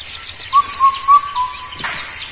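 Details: An Indian cuckoo, a solitary, shy bird, gives its loud four-note whistled phrase, the notes evenly spaced about a third of a second apart, over a steady high insect hiss.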